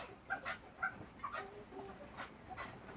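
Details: Chukar partridge (Alectoris chukar), call.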